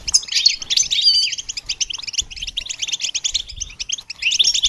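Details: Goldfinch song meant to train songbirds, an unbroken stream of quick high tinkling chirps and short trills with a few clear whistled notes mixed in.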